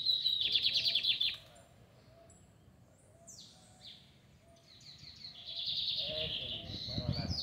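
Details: Lined seedeater in song at a neighbourhood square in Fátima, a fast buzzy trilled phrase at the start, a quiet gap with brief sharp notes, then another dense rattling burst, low rumble and distant voices beneath.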